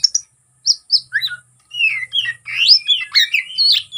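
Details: Oriental magpie-robin (kacer) in fighting mode, singing constantly with a song full of borrowed phrases, meant to provoke rivals. Sharp whistled and slurred notes jump between pitches after a short opening pause, over a steady high hiss.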